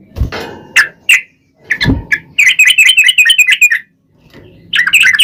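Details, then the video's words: Sooty-headed bulbul, played as a lure to provoke other birds into singing back; a long rolling run of rapid bubbly notes, preceded by scattered chirps and a few knocking sounds. "SUARA trucukan gacor ROPEL PANJANG pancingan trucukan agar bunyi"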